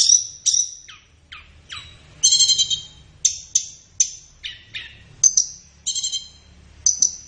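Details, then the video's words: Training song of a flowerpecker for caged birds, used in the morning or afternoon: separate high, sharp downslurred chips and short buzzy notes spaced about half a second apart. "SUARA BURUNG - Masteran Terbaik Tledekan | Song 5"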